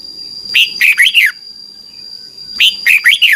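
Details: Red-whiskered bulbul kept as a cage bird in Thailand, song used for training young birds to copy. Two short phrases of four liquid, warbling notes about two seconds apart, and a constant faint high whine behind them.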